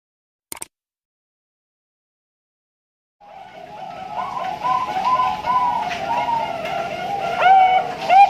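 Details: Bangkok-type zebra dove (perkutut) from an Indonesian bird farm in Pasuruan, East Java, hatched 8 August 2023, singing in the 'suara lelah ujung panjang' long-ending style: after three seconds of near silence, layered low rolling coos begin and build steadily.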